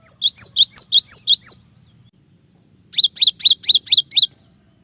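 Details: Cinereous tit tutor recording with two quick runs of about seven clear, down-slurred notes each, split by a pause of over a second, in quiet surroundings.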